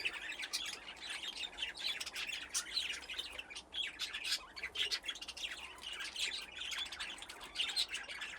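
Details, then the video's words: Budgerigars in an aviary with nesting boxes, a colony grown from two pairs, keeping up a steady stream of overlapping chirps and squawky warbles, softer and more even throughout. "Budgies playing in the aviary"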